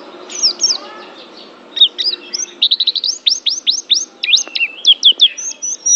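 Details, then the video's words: Banten Oriental white-eye, called an Asian champion, starts with a few thin high notes, then launches into a rapid chattering song of sharp downslurred chirps and brief whistled phrases. "SUARA PLECI BANTEN JUARA ASIA"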